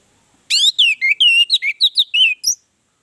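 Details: Lure song of an Orange-headed thrush meant to set other birds singing: one rich two-second phrase of about ten slurred whistles, sweeping down then up, clean with no other sounds.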